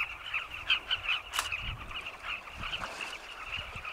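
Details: Carmine bee-eaters flying around cliff burrows at sunset in Zambia, seeking insects to feed chicks; a softer chorus of distant overlapping calls, with a few nearer, clearer notes early on and one sharp knock.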